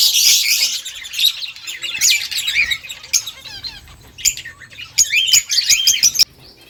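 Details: Rose-ringed parakeet (ringneck) eating green leaves, giving bursts of high, scratchy chirps and short squawks, loud at first, then fading and rising again in quick runs.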